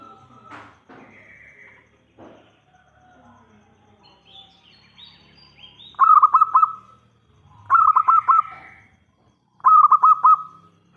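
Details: Local zebra dove lure song to make other perkutut reply: faint chirps of other birds at first, then three loud cooing phrases about two seconds apart, each a burst of fast pulsing notes.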